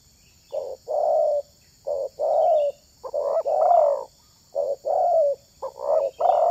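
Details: Coos of a spotted dove, a bird prized for luring wild doves. Short low notes lead into longer warbling coos in about six groups, some with extra stuttered notes, evenly spaced and mellow.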